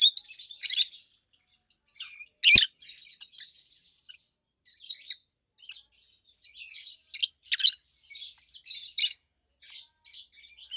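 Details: Pair of adult peach-faced lovebirds recorded in 2023 chattering with loud, high, solid chirps; one very sharp squeak early on, followed by many short irregular tweets and harsh notes.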